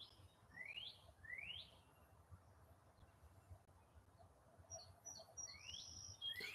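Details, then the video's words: Northern Cardinal singing in the background while someone crochets indoors: a handful of quiet, rising slurred whistles spaced under a second apart, with faint high chirps from another bird and a steady low hum. "I don't know if you hear that bird that's a cardinal"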